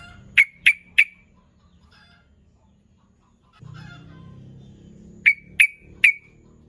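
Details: Sooty-headed bulbul calling to lure rival birds into answering: a burst of three sharp, short, evenly spaced notes, silence for several seconds with low rumbling noise, then another matching set of three clipped notes.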